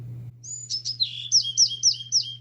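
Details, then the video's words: Bewick's wren, noted for its beautiful song, visiting a Southern California garden feeder for suet and fallen seeds, sings high thin introductory notes then a quick sweet slurred trill, about four per second, over a faint hum. "The Bewick's wren is known for the beauty of its song."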